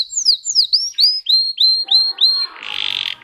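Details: Russian canary bred for singing: looping, swooping whistles, then a series of level, clear notes about three per second, ending with a short buzzy rattle.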